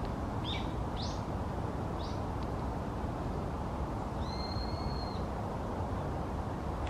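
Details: A warbling (Japanese) white-eye in Higashitakane Forest Park calls: three thin, very high, quick notes, then one longer level whistle, all faint beneath a heavy low rumble of wind or traffic.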